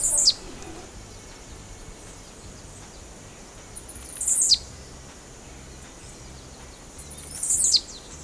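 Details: Blue-black grassquit (Volatinia jacarina, 'tiziu'), a bird said to sing while jumping, gives its song: a short, explosive, buzzy 'tiziu' note, high and sharply descending, repeated about every three and a half seconds over faint background hiss.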